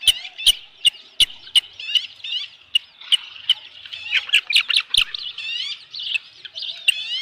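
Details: Osprey at a ranch nest on 15 July 2018 around 7:55 PM, as an adult brings a headless fish: rapid, piercing whistled chirps repeated about two or three times a second, with sharp clicks and knocks between them.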